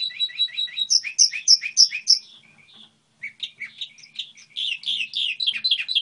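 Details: Goldfinch hybrid singing a model song: bright twittering phrases of rapid repeated chirps between 2 and 8k, a short pause, then a busier run of varied twitters and trills.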